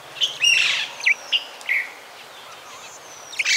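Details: Minute hermit (Phaethornis idaliae), a tiny forest hummingbird, gives about six thin, squeaky, sharp high chips at an uneven pace; a faint, drawn-out high whistle sounds near the end.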